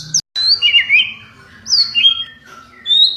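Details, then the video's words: Champion white-rumped shama, caged, singing to draw a reply from other shamas; brief bright whistled slurs and high sweeping notes in short bursts separated by pauses, over faint low hum. "Kalo murai anda respon berarti burung anda prospek wajib di pelihara."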